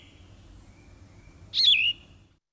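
A Yellow-throated Vireo gives one short, husky, burry phrase that slurs down and wavers. It is rougher than a Red-eyed Vireo's and followed by a pause.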